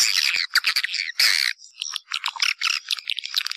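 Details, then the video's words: Swiftlet lure call used to attract swiftlets: dense, harsh squawking chirps in quick bursts, some long and rasping, others short and clipped, with brief gaps between groups. "Suara Burung Walet"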